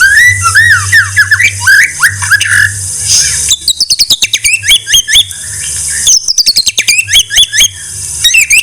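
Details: White-rumped shama song recorded for training songbirds: rich rising and falling whistled phrases, then bursts of fast sharp clicks mixed with looping high notes.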